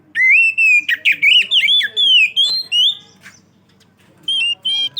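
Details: Oriental magpie-robin in full song as a lure for other magpie-robins. A chain of strong whistled and warbled phrases lasts about three seconds, then a pause, then more clear whistles. A soft background hum is present.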